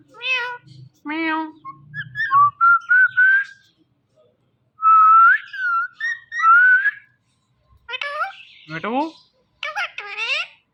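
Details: Talking rose-ringed parakeet indoors mixes nasal, speech-like syllables with runs of bright, level and rising whistles, then sharp downward-sweeping squawks near the end, with pauses of silence between phrases.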